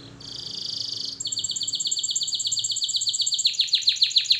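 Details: Canary song used for training: a smooth buzzy roll opens, followed by a fast, even trill of high notes, ending in slower downward-swept chips about four per second.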